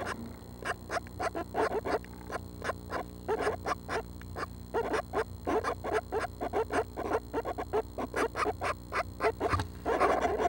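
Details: Seven Northern Flicker nestlings in the nest on June 12 at 6am, within a week of fledging, giving dense runs of short raspy broadband bursts, several per second, almost without pause, over a steady low electrical hum.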